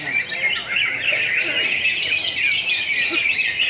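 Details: Greater green leafbird at a national songbird contest in Pontianak, West Kalimantan, 3 April 2016, pouring out a fast, continuous, high chattering warble with rapid twittered notes over a busy background of other songbirds.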